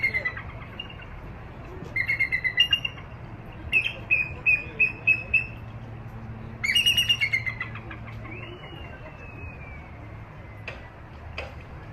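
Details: Captive female bald eagle at Santa Barbara zoo, hatched on Santa Catalina Island in 2010, with an injured left wing; high, thin piping notes in quick chattering bursts, several series separated by pauses, over a steady low hum.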